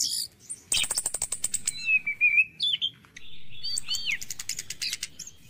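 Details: Morning song of an orange-headed thrush, played to coax stressed or silent caged birds to sing. A rapid high rattle leads into a sustained wavering whistle, then looping whistled phrases and more fast ticking trills.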